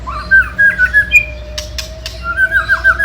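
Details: Ketrekan-style white-rumped shama song meant to provoke rival birds: loud, fluty whistled phrases of quick rising-and-falling notes, broken midway by a few sharp clicks, with a steady low hum behind.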